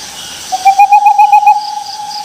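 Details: Owl call starting with about eight quick pulses on one pitch, then smoothing into a sustained level whistle, with faint insect chirps behind it.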